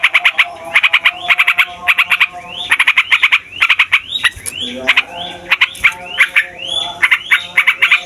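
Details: Yellow-vented bulbul song meant to excite other songbirds: fast chattering rolls broken by repeated upward-sliding whistled notes, continuous and energetic, over a faint low hum.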